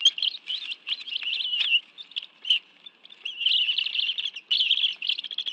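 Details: Squealing high chatter rises and falls in long runs as a Bald eagle pair and their two young share fish at a nest in the National Arboretum, Washington, D.C., on a Sunday afternoon, 11 June 2017, with short pauses between runs.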